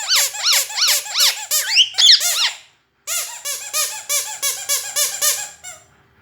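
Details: Pet parrot indoors producing rapid series of harsh squeaky notes, about three per second, with a brief whistled flourish and a short pause midway.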